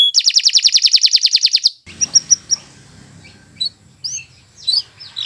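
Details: Canary of the Kenari Nusantara type, a long, continuous song used as a tutor recording for training other birds: a fast, even trill of high notes for under two seconds, then scattered sharp chirps and upswept whistles over a quiet low hum.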